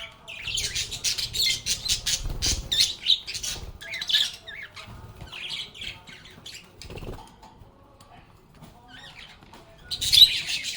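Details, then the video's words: Lovebirds singing and playing together: raspy, squawking chatter in quick bursts over the first half, a quieter scattered stretch with soft chirps, then a loud harsh squawk burst at the end. "Lovebirds agapornis sounds | Relaxing Sounds of Singing, Playing, and Talking Parakeets"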